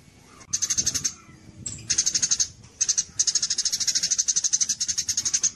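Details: Contest-training recording of a Javan munia in kapas tembak style: after a quiet start, bursts of quick, shrill repeated chips that grow into a long unbroken run.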